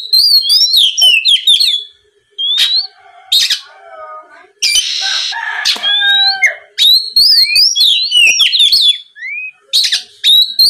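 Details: Oriental magpie-robin singing as a lure for rival magpie-robins: warbled whistled phrases with wavering notes, broken by harsh, noisy rasps and lower chattering, then more rising and falling whistles.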